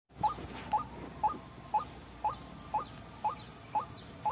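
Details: White-breasted waterhen lure recording used for trapping birds: a short clipped note near one kilohertz repeated steadily about twice per second, each with a faint higher echo, over a constant low hiss.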